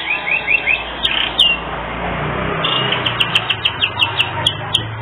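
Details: Canary singing with unique phrasing, recorded as tutor material for other birds: a short series of rising whistles, a quieter noisy stretch, then spaced bright downslurred notes repeated at a quick pace.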